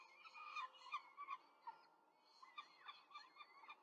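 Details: Peregrine falcon female feeding four chicks at a nest in Rome, May 2023: a dense burst of squealing, wavering calls early on, then quieter scattered chirps and short rising notes.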